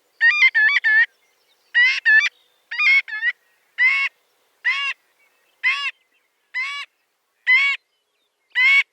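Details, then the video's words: Marbled Godwit giving loud, nasal, honking calls in quick doubles and triples, repeated roughly once a second, with nothing else audible. "Marbled Godwit Sound"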